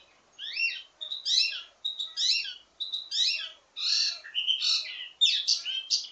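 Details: Varied ledekan teasing song of a wambi mini, used to train other birds of its kind: harsh, chattering phrases repeated a little under once a second, somewhat rough and scratchy.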